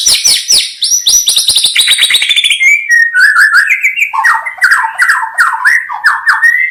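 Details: White-rumped shama (murai batu) singing in a recording meant for bird trapping: a rapid cascade of high, tinkling, descending notes flows into lower, richer, varied whistled phrases repeated in quick succession, loud and continuous.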